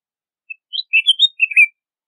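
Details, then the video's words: A red-whiskered bulbul (Pycnonotus jocosus) sings a brief, lively phrase of bright chirping notes, five or six quick liquid syllables rising and falling over about a second. "Red-whiskered Bulbul Song! Red-whiskered Bulbul Call!"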